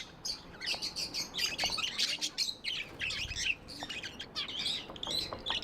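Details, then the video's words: Several tame budgies chattering almost nonstop with dense, high, scratchy chirps and little squeaks, irregularly spaced. "Budgies amazing love & chirping sounds"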